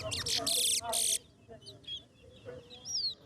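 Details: Chestnut-bellied seed finch (Sporophila angolensis) singing in a towa towa bird singing competition with counting: burst of bright, rapid high notes, then thin scattered whistles, people's voices faint behind.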